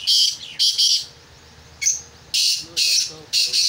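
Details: Black francolin being prepared for chakri: loud, harsh, grating bursts repeated in quick groups, separated by short pauses, with a man speaking softly in the background.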